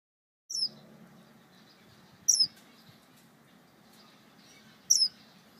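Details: A male star finch calling for his mate gives three thin, very high, slightly falling call notes about two seconds apart over a low background hum.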